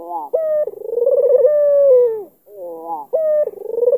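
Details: Kalimantan albino Barbary dove, black collar, calling to provoke an opponent: a clipped bright note, a long rolling coo that flattens and falls away, a short pause, then the sequence begins again.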